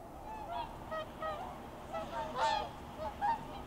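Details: Wintering swans departing their lagoon roost early in the morning toward rice fields, recorded with a Sony RX10 IV; loud, nasal, bugle-like honks from several birds follow one another quickly, with one harsher, broader call in the middle.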